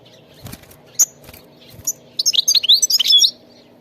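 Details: European goldfinch from the wild in song: a few scattered clicks and short chirps, then a one-second burst of rapid, liquid twittering notes sliding up and down, over a soft background hum.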